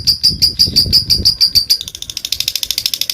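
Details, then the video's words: Lovebird giving a provoking ngekek call to rival birds: rhythmic high notes, slower at first and then quickening into a fast, even chatter. "Lovebird memanggil musuh ngetik dan ngekek panjang fighter"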